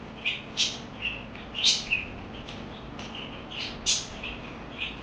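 Parakeet chirps, bright and high, in short irregular bursts roughly every second, some sharp and rising, over a faint steady background hiss.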